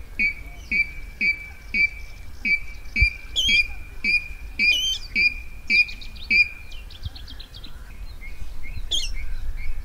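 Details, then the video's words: Rail call used as a lure for net trapping at night, recorded in 2020: a steady run of short, piping whistled notes, about two per second, each with a rasping upper edge, then a few looser, scratchier notes near the end. "tiếng gà nước đánh lưới đêm 2020"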